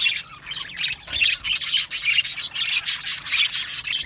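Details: Colony of Australian budgies in an aviary, chirping and singing together: continuous high, buzzy warbling and quick chirps from many birds at once, rising and falling in loudness with no pauses.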